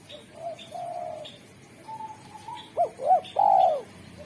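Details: Derkuku spotted dove, a clear melodious singer good at calling wild doves, gives quiet low coos, then two short arched hoots and a loud falling drawn-out coo at the end; faint twittering above.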